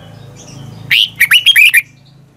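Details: Morning practice song of a red-whiskered bulbul, used as a lure to train other bulbuls to sing; one short, rapid phrase of five or six liquid, up-and-down whistled notes over a low steady hum.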